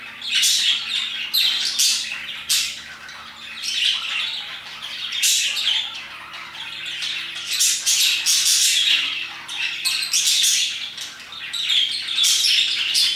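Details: Around 2pm, parakeets chirp and sing their hearts out: continuous shrill chatter, sharp squawks and warbled notes rising and falling over thirteen seconds, a low hum beneath.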